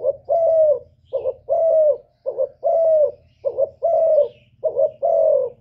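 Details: Spotted dove cooing to provoke males, an urgent calling coo: low, mellow phrases of a short double note followed by a longer drawn coo, repeated about every second, over a steady low hum.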